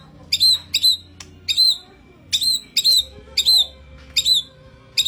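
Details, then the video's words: Lure recording of White-rumped shama for training: a bright whistled note with a slight downward bend, repeated about every half second in a steady series. "Suara Pancingan Masteran Ocehan Murai Batu Gacor"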